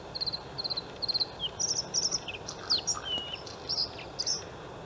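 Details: Male white-spotted Bluethroat in spring in a reedy harbour landfill at Halmstad, Sweden; rapid repeated trilled triplets give way to a varied run of high whistles, buzzy slurs and squeaky notes, with steady low noise behind.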